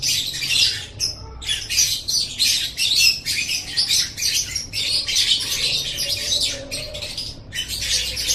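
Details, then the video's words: Lovebird in an Indonesian masteran tutor track, singing nearly nonstop scratchy, high-pitched chatter, with one short pause near one second and another near seven. "Masteran Suara Burung Love Bird"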